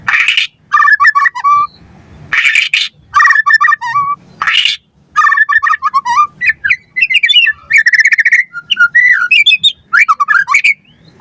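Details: Captive-bird tutoring recording of a white-rumped shama: loud bursts of harsh noisy notes alternate with clear, rolling whistled phrases, the song running nearly continuously with short breaks.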